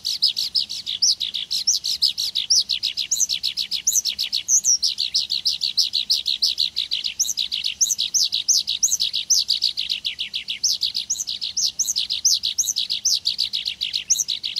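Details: Meadow skylark in a long, unbroken stream of rapid, varied, twittering notes, high and busy, with no pauses across the whole stretch.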